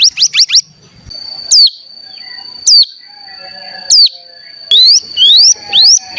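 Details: Bar-winged prinia call used as a lure to stir other birds into song: a quick trio of high notes, then single sharp swooping whistles spaced about a second apart over a thin steady tone, closing with rising slurred notes.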